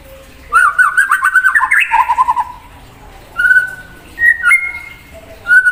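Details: White-rumped shama in full song, singing to provoke another bird: a fast run of warbled, rippling notes, then a lower trill, followed after a pause by long steady whistles and a rising two-part whistle.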